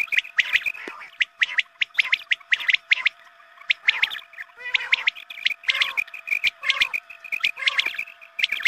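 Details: Quail call played at dawn prayer time to lure quail during hunting. Dense bursts of sharp, high chirps come in quick clusters, with a steady faint hum underneath.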